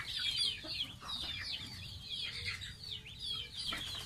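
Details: Young pet domestic goose at bath time gives a steady stream of high, wavering peeps and short downward-sliding whistles, closely spaced and continuous throughout, over quiet low background noise.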